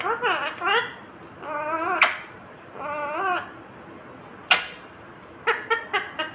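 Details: Indian ringneck parrot, green, utters speech-like phrases with rising and falling tones, broken by two sharp cracks, then ends with a quick run of short clipped notes.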